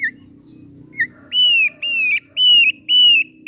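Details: Thick-billed heleia singing actively and melodiously: two short high chirps, then four long, clear, level whistled notes, each about a third of a second, with a faint low hum behind.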